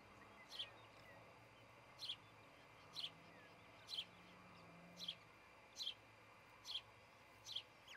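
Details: Osprey at its nest near Charlo, Montana, early morning of 26 June 2018, nest camera recording; a run of eight short, high-pitched whistled chirps, roughly one per second, against faint constant hum.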